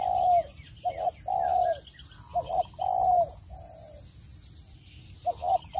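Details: Spotted dove cooing, a recording used to lure birds into traps: mellow low coo phrases, a short stuttered note then a longer fuller coo, repeated several times, with a thin constant high tone in the background.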